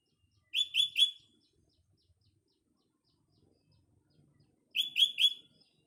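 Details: Morning song of a sooty-headed bulbul in a green natural setting: a burst of three clear chirped notes, a few seconds of quiet, then another matching triple phrase.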